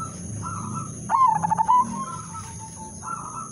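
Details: Zebra dove lure song meant to prompt other doves to sing: one brief burst of rapid staccato cooing notes, mid-pitched, with softer cooing from other doves around it and a steady high electrical whine.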